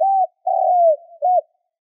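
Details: Spotted dove call recorded as a lure for wild doves. A smooth coo is followed by a long, slowly falling croon and a short rounded coo, all low and mellow.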